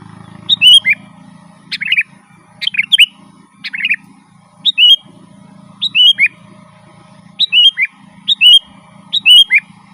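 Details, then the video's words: Sooty-headed bulbul singing energetically, a recording meant for calling wild birds in the forest: about nine brisk phrases of clear slurred whistles in ten seconds, some doubled, over a constant low background hum. "Suara burung kutilang gacor Garuda full gacor dan ngeroll"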